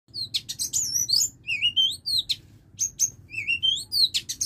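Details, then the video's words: Female Oriental magpie-robin kept as a lure bird, giving a loose series of short, bright whistled notes and sharp chirps, some rising, some falling, about two every second, with brief pauses between bursts. "CHÒE THAN MÁI MỒI"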